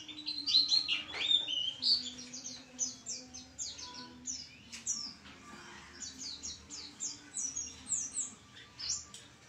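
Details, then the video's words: High-pitched white-eye song, strongest in the opening seconds, then a run of quick downslurred chirps at roughly regular short intervals over a soft low hum. "pleci gacor"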